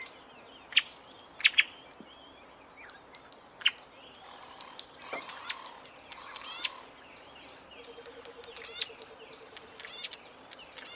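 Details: Green-backed Camaroptera (bleating warbler): sharp, dry chips and clicks scattered through the recording, then a low nasal buzzy bleat near the end, while other birds chirp over a steady high insect hiss.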